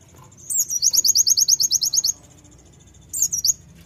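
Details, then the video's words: Brown-throated sunbird song aimed at making birds sing: a sharp introductory note leading into about a dozen quick, high, ringing repeated notes, then a short squeaky phrase. "Kolibri Ninja Fighter Pasti Langsung Nembak Dengar ini"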